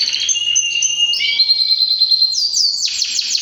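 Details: Singing white male canary, three years old: a series of rapid trilled tours shifting in pitch, a clear sustained whistled note in the middle, then a burst of quick descending chips.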